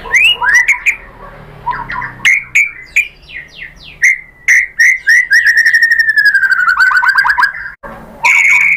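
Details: White-rumped shama (murai batu) singing a lure song meant to provoke other shamas into song: loud varied whistled phrases with rising and falling slurs, then a long rapid trill of repeated notes slowly dropping in pitch, and a final sharp whistle.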